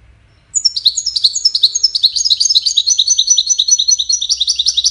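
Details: Goldfinch song used in courtship and communication, a continuous, cascading run of high, tinkling twitters and short buzzy notes, delivered rapidly and without pause over several seconds against a quiet, low background hum.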